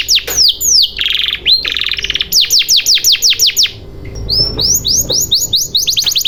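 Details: Canary song used as a lure to get silent canaries singing: rapid repeated downward-sweeping high notes, a buzzy trilled phrase, then fast rolling series of short rising-falling syllables.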